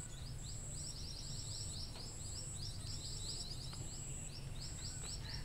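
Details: Lure recording of scaly-breasted munia: dense runs of brief, sharp, high-pitched peeping notes repeating several times a second, with a constant shrill tone above and a low background hum.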